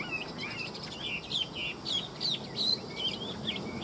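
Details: Chinese hwamei delivers bright, high twisting whistles in quick succession, with some sharp, scratchy notes mixed in.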